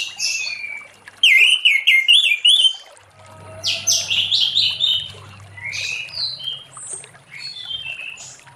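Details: Orange-headed thrush in full late-afternoon song to prompt other thrushes to sing: a quick series of repeated whistled notes, then varied descending phrases and high chips, with a faint low hum underneath.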